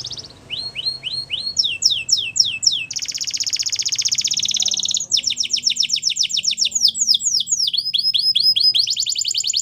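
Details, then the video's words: Morning song of a wild canary: a continuous run of tours, with slurred downward notes repeated several times per second alternating with dense buzzy trills and rapid high rolls. "Wild Canary Singing In The Morning"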